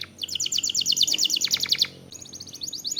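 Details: Lure recording of canary song to stimulate singing: a rapid rolled trill of evenly spaced high notes lasting nearly two seconds, short pause, then a second quick trill begins.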